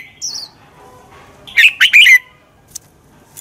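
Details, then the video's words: Red-whiskered bulbul fighting song used for training: a single short burst of fast, bright warbled notes, preceded by a faint high descending whistle and followed by a few soft clicks. "luyện chào mào căng lửa, chào mào hót đấu"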